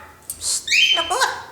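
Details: Pet Blue-fronted Amazon parrot saying what its owner calls a bad word: a harsh, high squawky burst, then a bright whistled note sliding upward and a short voice-like garble.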